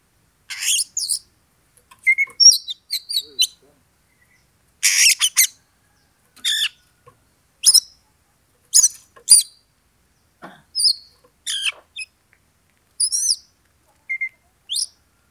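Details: Oriental magpie-robin singing to goad a rival into a fight: short bursts of harsh, scratchy notes mixed with thin whistles and quick chirps, delivered in separate phrases about a second apart, with silence between them.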